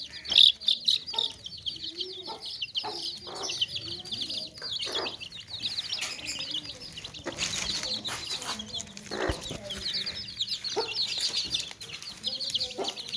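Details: Many baby chicks peep continuously in a basket, with clucking hens nearby: an even carpet of high, sharp cheeping, occasional soft clucks and a louder rustling burst midway.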